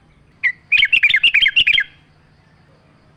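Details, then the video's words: Sooty-headed bulbul singing on a training lure recording with nature sounds: a short note, then a quick bubbly run of about ten clear chirping notes over one second, faint low hum beneath. "pancingan trucuk gacor mewah full suara alam"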